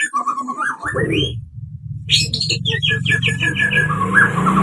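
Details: White-rumped shama (murai batu) singing a pastol-style lure song meant to rouse birds: rising whistled phrases, a short gap, then rapid repeated chattering notes and warbles over a deep steady hum.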